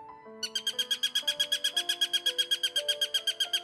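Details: Two-week-old Eurasian sparrowhawk nestlings in their nest in a small woodland strip near Ryazan squeak shrilly, about four a second, as an ornithologist approaches; they try threat postures imitating their mother. Soft background music.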